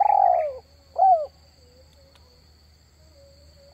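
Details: Used for luring wild doves, this spotted dove call gives a long falling coo, then a shorter one, followed by quiet with a faint steady low hum.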